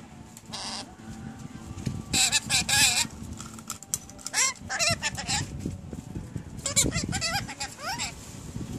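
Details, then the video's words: Pet Rainbow lorikeets, recently brought home, talking busily: a string of harsh, buzzy, pitch-wobbling speech-like phrases in clustered bursts, with short pauses between them and low background hum throughout. "My Rainbow Lorikeets talking like crazy"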